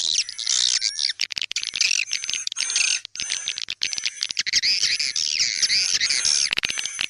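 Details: Edible-nest swiftlets in a popular "tarik senja" (dusk-luring) swiftlet call track for swiftlet houses: dense, rapid, high twittering and dry clicking bursts, almost without pause, over a steady thin high-pitched whine.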